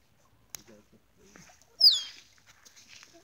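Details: Male musk duck giving a mating display to females at Lysterfield Park, Victoria, Australia: a sharp click, then a loud, brief whistle sweeping downward in pitch, over faint low background sounds.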